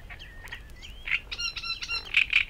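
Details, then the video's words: A Great Reed Warbler in the Matsalu reed beds, recorded in a 1979 field recording, sings a brief, harsh run of grating, clicking notes mixed with squeaky whistles, rising to louder rasping bursts near the end. "Great Reed Warbler"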